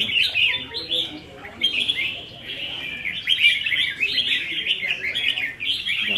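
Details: Red-whiskered bulbuls kept in cages compete in a practice singing contest, 15 May 2021, giving clear, busy, chirping and warbled phrases almost without pause, with little other noise.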